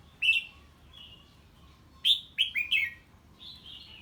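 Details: Red-whiskered bulbul singing on hearing an unfamiliar bird: a short whistled note, then a quick run of three or four bright, slurred whistles falling in pitch, with a softer trailing phrase after a pause.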